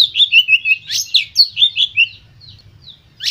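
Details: White-rumped shama singing to stimulate other birds: a loud, varied run of high whistled and slurred notes, some rising sharply, fading into quiet near the end.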